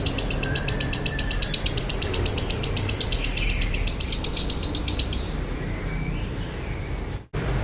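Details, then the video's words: A lovebird sings in the dry-toned 'konslet' style for training and provoking other birds: about five seconds of fast, high, buzzy chatter at around four pulses per second, then quieter background noise with a brief dropout. "MASTERAN LOVEBIRD KONSLET NADA KERING | PANCINGAN SUARA LOVEBIRD KONSLET"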